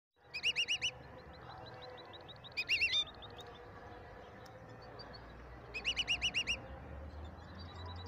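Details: European goldfinch from Morocco, praised as a singing maestro: three loud bursts of rapid, ringing, harmonic trilled notes, each about half a second long, separated by pauses, over steady low background hum.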